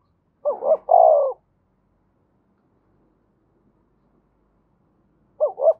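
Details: Calling coos of a Spotted dove from Đồng Nai, Vietnam, used to lure wild doves: a quick double looped coo then a long low falling croo, a pause of about four seconds, then the double coo again.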